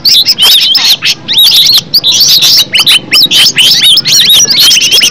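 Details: Green leafbird (cucak ijo) natural song used to provoke others into singing: rapid bursts of twisting whistled and chattering notes, broken by short gaps roughly every half second.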